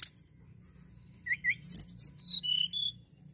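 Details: Hill prinia song, a lively singing bird: short high whistled and chirping notes at varied pitches, with a louder burst of sweeping whistles in the middle; faint low hum in the background.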